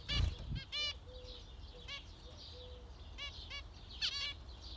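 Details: Zebra finch nasal calls in short stacked bursts, with dull low thumps at the start and a louder double call near four seconds against a continuous low hum.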